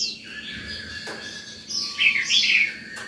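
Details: Morning song of an Oriental magpie-robin in an aroused state, sung to call birds and teach young ones: a short, rather faint run of slurred whistles over a steady background hiss.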